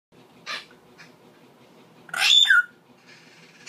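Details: A pair of Indian hill mynas; a brief soft rasp, then one loud harsh screech with a whistled twist lasting about half a second, followed by quiet hiss.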